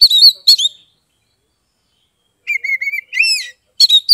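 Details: Kacer, the Oriental magpie-robin, a caged songbird in Kebumen, Central Java, used to coax reluctant birds into song: a loud whistled burst, a long silent pause, then a run of level whistles and a bright rising-falling phrase.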